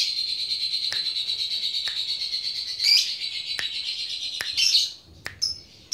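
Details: Lovebird, Paud type, flapping its wings (ngepyak) and calling to provoke a rival fighter bird. A long, continuous, buzzing high trill runs for about five seconds. It is broken by sharp clicks and ends in short squeaky notes.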